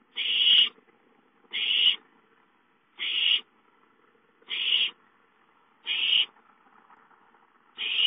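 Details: An owlet (chick) calling for food at home, giving harsh, hissing, rasping screeches, each about half a second long, repeated steadily every second and a half.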